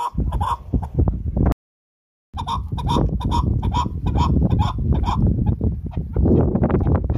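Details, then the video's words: Chukar partridge calling: a short cluck burst, a pause, then a long run of evenly spaced, harsh chuk notes, about three per second, with strong low-pitched rumble underneath. "Chakor ki Awaz | Chakor Sound | Keklik Sesi Sound"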